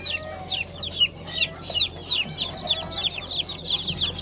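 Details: Fresh April 2020 hatch of Light, Gold and Blue Brahma chicks: rapid, shrill falling cheeps about two or three per second from several chicks, overlapping into a lively chorus.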